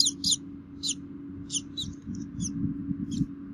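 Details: Bald eagle nest camera in Minnesota, 3 May 2016, parents both feeding the young; rapid high squeaky chirps at first, then scattered thinner squeaks amid rustling and low shuffling noise.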